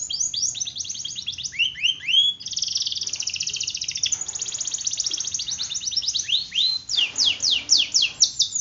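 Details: Canary in full gacor song to stimulate silent canaries, with swept whistles, a long rapid high roll, then loud repeated descending sweeps.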